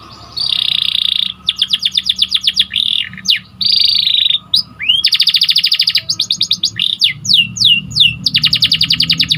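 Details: Canary song from a training recording: a sustained buzzy roll, choppy rapid trills, a rising whistle and more rolled and trilled phrases, with crisp sweeping notes between bursts and a light background hum.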